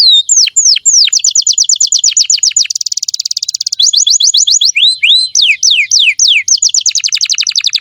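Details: Female canary singing vigorously: rapid series of clear down-slurred whistles repeated in fast trills, a buzzy steady rattle in the middle, then lower swooping whistled notes and quick trills.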